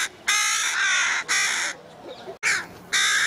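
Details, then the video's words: Two young Carrion Crows on Buck Hill relentlessly pursue their parents begging for food, giving a rapid series of loud, hoarse, grating caws of varying length, some overlapping, with brief quieter gaps between. "Hungry young Carrion Crows"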